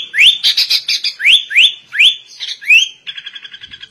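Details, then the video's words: Sooty-headed bulbul song imitating the white-rumped shama, with sharp upward-sweeping whistles alternating with short buzzy chatter bursts, ending in a rapid, rattling trill of scratchy notes. "Kutilang Rasa Murai Batu"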